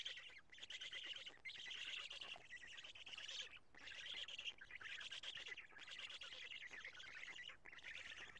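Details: At a Karula nest in Estonia, 2 June 2017 around 20:04, black storks change over and feed; loud rasping, breathy wheezes pour out in sustained bouts, each cut off by brief gaps.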